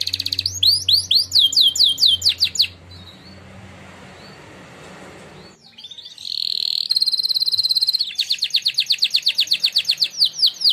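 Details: Canary that won a singing contest sings a training song: rapid trills, a quiet pause with low hum, then a bright sustained tone and fast pulsed trilling.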